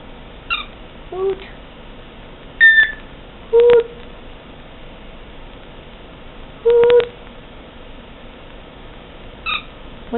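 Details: Pet brown-headed parrot indoors, hooting and imitating a conure: a few short low hollow hoots spaced several seconds apart, with brief higher squeaky notes between them, over a quiet room background.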